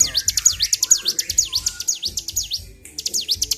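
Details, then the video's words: Worked-up bar-winged prinia singing without stopping: a fast rattle of high, sharply down-and-up sweeping notes, a short gap near the end, then the burst resumes. "CIBLEK GACOR || PANCING EMOSI BURUNG CIBLEK"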